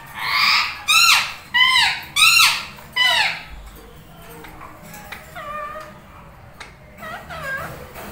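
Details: Two tame pet Indian ringneck parakeets, one lutino, bonding and talking indoors. Five loud, harsh, rising-then-falling squawks sound in quick succession over three seconds, followed by softer chattering squeaks and warbled notes against faint room noise.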